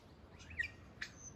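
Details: One of a pair of superb lyrebirds on a bush track in the Dandenong Ranges, Australia, mimics kookaburras and other birds: a couple of quick slurred whistles, then a sharp chirp, mid-pitched, over soft hiss.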